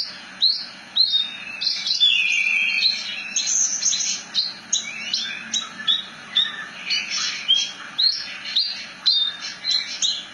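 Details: Continuous rolling song of a Javan bush lark, known locally as branjangan: rapid mixed chirps, buzzy notes and downslurred whistles pouring out almost without break, with a faint low hum underneath.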